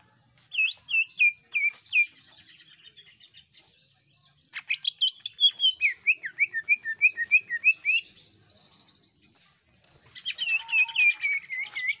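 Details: Greater green leafbird singing vigorously, meant to get other birds singing. Clear whistled notes that dip and rise come in short runs. They are followed by a long rapid series of looping whistles and then a dense, warbling, high phrase.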